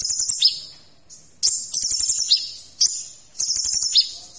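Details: Sunbird known locally as kolibri ninja, singing shrill, high sustained trilled phrases about every 1.4 seconds, each starting with an explosive note.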